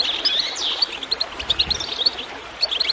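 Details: Goldfinch song with faint water in the background: a burst of dense twitter at the start, then spaced high chirps and short rising slurs.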